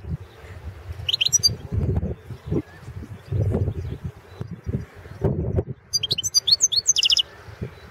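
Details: European goldfinch recorded for a 2016 world championship goldfinch song competition: two bursts of high, rapid twittering, the second longer and ending in quick repeated notes, between loud low knocking and handling noises.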